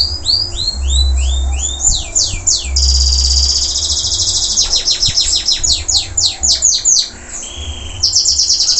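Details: Local canary that has finished moulting, still singing hard: repeated falling whistles, a steady high trill, then a rapid series of sharp descending notes and a short whistle, with low rumbling noise underneath.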